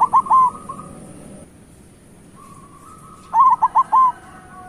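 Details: Local zebra dove song: clipped, stuttering coos trailing into a sustained tone, a long pause, then a rising hum breaking into another burst of rapid coos.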